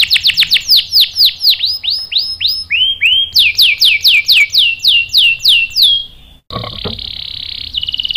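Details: Canary, caged, in a session meant to provoke singing, runs through repeated high downward sweeps in two tempo phrases, then a brief gap and a harsh buzzy churring note.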